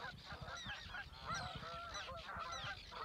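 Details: Flock of Canada geese honking as they fly over water at Reveln, Alnö, Sweden, 7 August 2022, departing southward on migration. Dense, overlapping nasal honks fill the whole stretch over a low background rumble.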